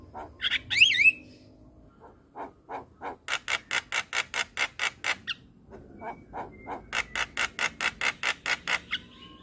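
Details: White-eyed Javan myna singing actively: a brief whistled flourish, then long even series of dry, sharp clicks repeated several times a second, pausing once before another run of clicks.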